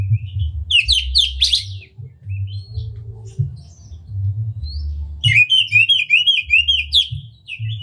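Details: Oriental magpie-robin, a lively singer with tail spread, whose unique song serves to stir up other magpie-robins: quick scratchy chatter, soft notes, then a fast rhythmic series of repeated whistled chirps, over a low hum.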